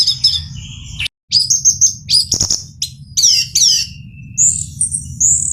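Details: Male orange-headed thrush in full song: varied high whistled phrases with sharp downward sweeps, clicks and chattering bursts. These are followed by sustained thin high whistles. A brief silent break occurs early, and a low hum continues underneath.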